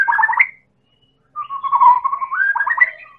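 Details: Medan white-rumped shama, lively song meant to spur other birds to sing: a quick stuttering run of whistled notes, a pause, then a long wavering whistle climbing into fast repeated trilled notes.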